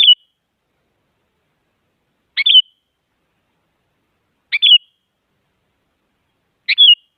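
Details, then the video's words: Sooty-headed bulbul female call aimed at a male, played to wake silent bulbuls: four evenly spaced phrases about two seconds apart, each a scratchy onset sliding into a clean descending whistle; otherwise silent. "Suara Burung Kutilang Penyemangat Kutilang Malas Agar Bunyi Jadikan Kutilang Diam Gacor Emosi"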